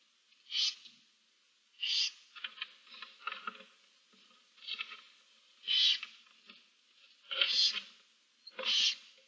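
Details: Seven barn owl chicks with their mother in a nest box, 15 March 2024: repeated rasping hissing screeches at irregular intervals, with soft scratching and shuffling sounds between them.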